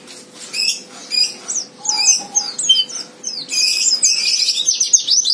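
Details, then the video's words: Fighter song of a white-eye, used to lure a rival to sing: high slurred chirps and twitters with two short lower whistles, building into a continuous, shrill, fast chattering warble. "Suara Pleci Fighter Memancing Lawan Agar Cepat Nembak"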